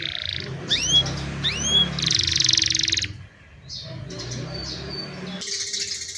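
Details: Young canaries singing to train other canaries, recorded on a cellphone: rising whistled sweeps, a dense buzzy trill and brief chirps, with faint low background hum.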